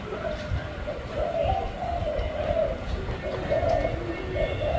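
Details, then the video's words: Spotted dove giving low mellow coos in a loose repeated sequence, partly masked by a constant low hum and distant chatter. "Cu gáy bông hoa đen"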